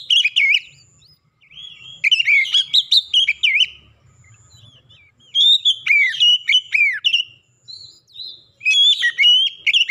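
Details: Oriental magpie-robin singing clearly as a lure to make silent birds join in. Several loud bursts of whistled, twisting notes and rapid chirps are separated by brief quiet pauses.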